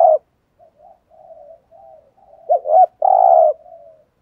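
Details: Spotted dove used as a decoy, calling to provoke rival males. Soft, quiet murmured coos lead into one loud phrase: two quick hooked notes followed by a drawn-out, buzzy coo.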